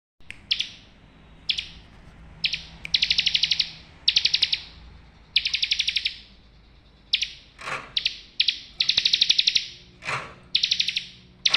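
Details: Bar-winged prinia, a bird kept to help other birds that have stopped singing start again, giving loud buzzy trilled bursts of one to two seconds. The bursts repeat with short pauses, and a faint low hum runs underneath.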